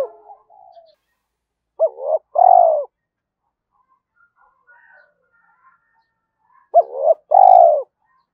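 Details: Spotted dove in continuous 'gáy thúc' calling, aimed at luring wild doves. Two clear phrases about five seconds apart, each two quick curling notes then a fuller, slightly rough coo, with soft faint chatter between them.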